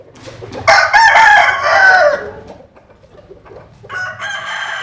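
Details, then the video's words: Rooster crowing from the Mekong Delta countryside of southern Vietnam: a loud, hoarse, harmonic-rich crow of about two seconds, dropping at the end, followed after a quiet gap by the start of a second crow. "Tập Hợp Những Tiếng Gà Gáy Rất Hay"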